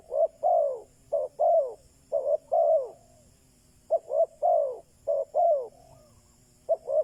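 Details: Decoy spotted dove calling to lure wild doves, soft hollow coos in grouped phrases, short notes leading into a longer slurred coo, with a pause midway before calling resumes.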